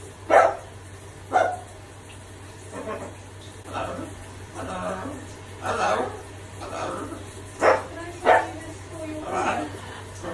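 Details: Pet macaw parrot imitating a dog's bark, learned from dogs barking at it during park flights, let loose while showering; hoarse bark-like bursts at irregular intervals, some paired, with a steady low hum underneath.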